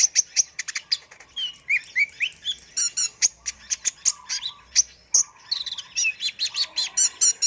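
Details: Lively song of a brown-throated sunbird (kolibri ninja) for bird training: dense stream of thin high chirps, rising slurred whistles and brief rattling trills, almost continuous throughout.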